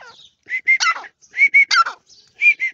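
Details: Grey francolin calling: loud whistled notes near one pitch in short bursts of two to three, the middle note harsher and buzzier, groups repeated about every second with brief gaps; no other sounds clear.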